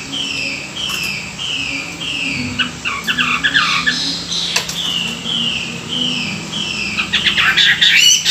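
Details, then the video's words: Caged Chinese hwamei during morning song training, giving repeated thin drawn whistles roughly every second, interrupted by rapid twittering flourishes and a click. "luyện giọng họa mi họa mi hót buổi sáng"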